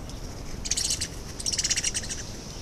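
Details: Yellowhammer visiting a garden in Horsham District: two quick bursts of rapidly repeated, thin, high-pitched notes, the second phrase longer, over faint low background rumble.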